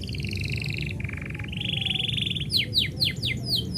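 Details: Canary song heard when its owner is about to leave, made of steady buzzy trills that step lower and then higher, followed by a quick series of sharp descending whistled sweeps.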